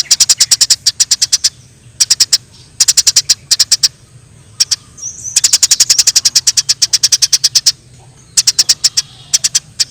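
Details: Fighting wild Eurasian tree sparrows: repeated rapid bursts of sharp, high chirps, a long continuous chattering run in the middle, and short gaps between groups of notes.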